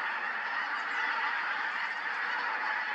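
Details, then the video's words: Pink-footed geese at Montrose Basin in October 2020: a dense, unbroken chorus of overlapping honks and yelps from a large flock, steady in loudness throughout with no gaps. "Pink-footed Geese, Montrose Basin October 2020"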